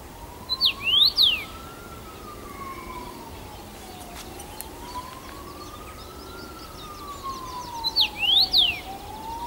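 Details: Singing first-summer male Common Rosefinch, Bazel, Belgium, 7 June 2015, perched on his usual branch; two whistled phrases about seven seconds apart, each with quick up-and-down slurs, while a distant siren wails slowly up and down.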